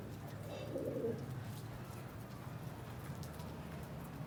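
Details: Pigeon giving a single soft, low, throaty coo lasting about half a second early on, followed by only a steady low background rumble.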